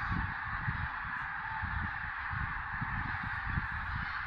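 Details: At sunrise in the Tister Bauernmoor, Germany, a large gathering of common cranes calls without pause, their voices fused into one steady wash, while strong low rumbling, like wind or handling noise, runs beneath.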